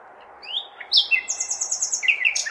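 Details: Nightingale singing at night in May amid a large city, a soft rising whistle, then a sharp upward sweep into a rapid pulsing buzz and several falling chirps; low urban background noise throughout.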